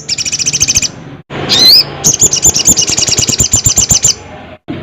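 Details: Crested jay calling a rival: a fast dry rattle of clicking pulses, a brief break, a short upslurred whistle, then a long rapid rattle of about twelve pulses per second before an abrupt cut.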